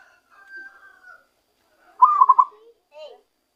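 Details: Wild-caught zebra dove starting to sing naturally. One loud rapid phrase of stuttering coos stands out among quieter drawn-out and descending calls before and after it.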